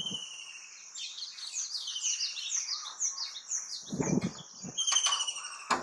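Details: White-throated kingfisher heard through a window gives a shrill, chattering whinny of rapid, high, downward-sliding notes for about four seconds, with a few dull low thumps near the end.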